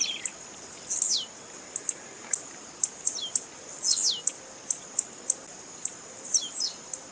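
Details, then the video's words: Calling female blue-black grassquit, played to excite and 'warm up' males. Sharp, high-pitched tick notes repeat steadily through the stretch, broken by several thin descending slurred whistles. "Piado de fêmea de tiziu Para Esquentar tiziu"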